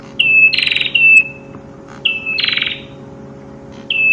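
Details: Prinia song with bursts of high whistled notes, each followed by a buzzy rattling segment, repeated about every two seconds over a steady low electrical hum.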